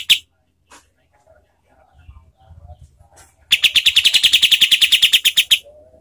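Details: Kapas tembak bird, used as a master recording for training contest songbirds, in a harsh, fast, tight delivery: after scattered faint notes, a loud burst of about twenty rapid harsh chattering notes, evenly repeated for two seconds.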